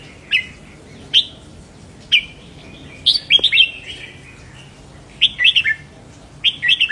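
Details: Red-whiskered bulbul singing, a recording meant to stir up caged birds. Single sharp chirps come first, then rolling clusters of sweet whistled notes, with short silences between phrases.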